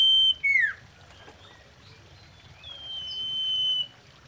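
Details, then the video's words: Common iora singing, described as a mating song: a high whistle slurring steeply downward, then after a pause a long, level, thin whistle held for about a second, over faint rural background noise. "SIRTU GACOR KAWIN"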